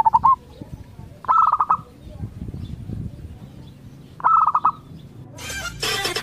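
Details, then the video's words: Local zebra dove song used to draw answers from other zebra doves: short bursts of quick, rolling coos separated by pauses, ending with a loud broadband rustling noise. "Cukup Dengarkan Suara Ini Perkutut Lokal Bahan Anda Akan Nyaut"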